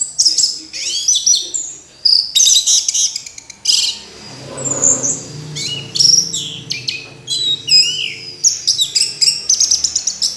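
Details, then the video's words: Orange-headed thrush pouring out a long, rich medley of high chirps, trills and whistles, broken by a quiet spell midway, then rapid repeated sharp notes toward the end. "Anis Merah Kicau Sampai Teler"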